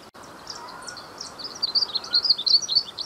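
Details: Faint scattered chirps build after about a second and a half into a louder, quick twittering warble from a glaucous-blue grosbeak, set against soft background hiss.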